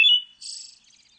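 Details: Pale thrush (Turdus pallidus) giving a single call: a thin high note followed by a harsh, buzzy chatter that fades into soft ticking, all within about a second.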